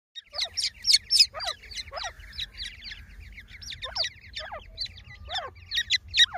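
Grey francolin chicks give thin, high peeping chirps, some sliding steeply downward, about three or four a second in an uneven chorus over a faint low rumble.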